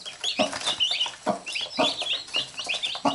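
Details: Domestic hen with chicks that bite her as she picks at them; brief low clucks about twice a second, mixed with sharp, high, slightly falling chick cheeps.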